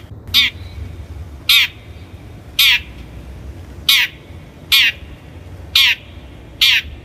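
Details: Long-tailed shrike lure recording for training birds: harsh, grating notes repeated about once a second, seven in all, each a short descending scratch over steady faint background hiss.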